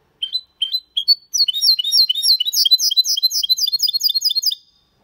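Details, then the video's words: Goldfinch × canary hybrid singing clean, error-free song in the Malaga style: a few spaced, rising chirps, then a fast, continuous run of high, sweet, twittering notes, with no other sounds. "Mixto de Jilguero Cantando Limpio"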